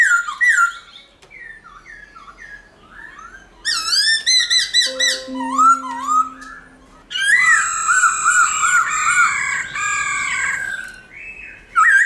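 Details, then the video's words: Black-throated laughingthrush forest-style song used to encourage caged birds: varied whistled phrases with steady lower tones in the middle, then a dense stretch of overlapping rich whistles. "Khướu Hót giọng rừng kích khướu bổi,luyện khướu bổi hót nhanh căng lửa"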